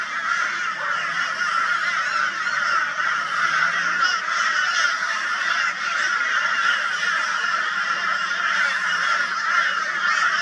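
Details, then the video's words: A flock of crows reacting to a barn owl in Brisbane, Australia, 22 February 2022; continuous overlapping raucous calling from many birds blends into a loud, even din. "Crow Reacts to Barn Owl with High Volume Raucous Noise"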